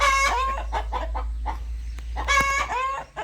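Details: Rooster in a farmyard clucking: strong drawn-out nasal notes with rich harmonics, then a string of shorter clucks, and another drawn-out note near the end, over a low steady hum.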